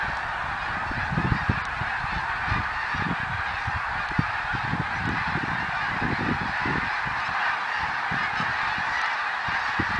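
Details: Snow geese, 2014: a dense flock chorus of yelping honks running without pause, punctuated by frequent low knocking sounds.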